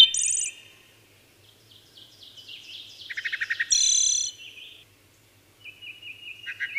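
Wood thrush song: clear fluting notes, a rapid run of descending warbles, then a high ringing trill. A faint low hum underneath.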